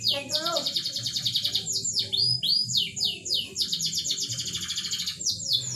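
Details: Song of a canary used to coax a reluctant bird into mating, a fast run of rapidly repeated downward-sweeping whistles, about three per second, over sustained high trills, with a faint background hum.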